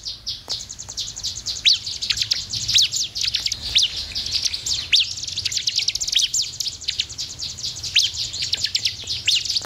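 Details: Sunda warbler song played to stimulate caged birds into singing: a steady, dense high twittering with scattered sharp downward-sweeping notes throughout.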